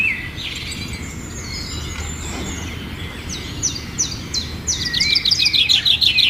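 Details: Myna calls: a thin sustained whistle and scattered high chirps, building near the end into a fast run of rapidly repeated sharp notes, with constant low background noise.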